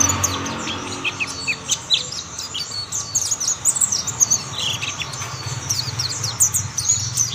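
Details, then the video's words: Mountain white-eye song with other birds joining in; lively high twittering of quick slurred chirps throughout, some notes dipping lower, over a steady low hum and background noise. "Tidak butuh waktu lama pleci Monty lain pasti ikut bunyi"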